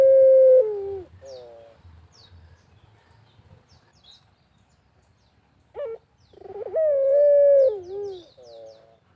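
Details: Barbary dove giving lure coos in the countryside: a long coo ending in wavering falling notes, a quiet pause with distant high chirps, then a short hoot and another drawn-out coo with a slight rise and fall, followed by warbles.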